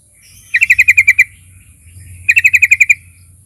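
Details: Sooty-headed bulbul used as a lure to provoke singing: two short, tight bursts of about eight sharp repeated notes each, a second apart, over a soft low hum.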